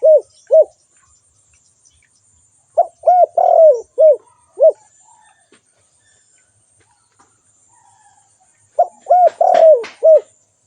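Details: Spotted dove giving its call: paired short coos, then two phrases of low, hollow coos with a long, falling central note. A brief rustle sounds under the last phrase.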